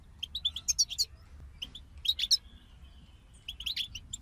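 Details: European goldfinches in a group, quieter here: spaced high chirps and short twittering clusters separated by pauses of about a second, over a soft low background hum.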